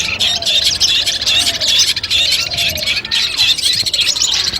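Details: Long-tailed shrike singing for pre-contest mental training: continuous high chatter with repeated short whistled notes and scratchy trills, fairly even in loudness.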